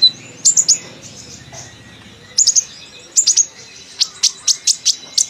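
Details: Chattering sunbird song: high, clipped, tinny chirps in small groups, ending in a faster run of evenly spaced sharp ticks over a quiet background.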